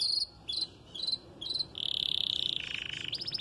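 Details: Red snow-frosted canary singing at the start of its moult, not yet doubling its song: repeated short high chirps, then a long buzzy trill and a rapid rattle, over background hiss.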